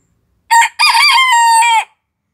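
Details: An Antwerp bearded bantam rooster gives one high, thin crow: a short opening note, then a long, steady, drawn-out phrase that drops away at the end.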